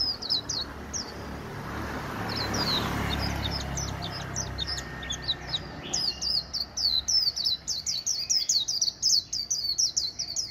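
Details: Neighbour's caged white-eye warbling in the líu style. Scattered high chirps sound through a hissing rush of background noise, then a denser string of very high, quick notes builds toward the end.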